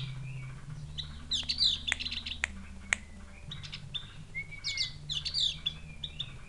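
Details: Tame Javan grey-throated white-eye from Mount Wilis, with a call said to resemble a chick calling its mother. Busy high chirps and a few falling whistled notes, broken by sharp clicks, over a low background hum.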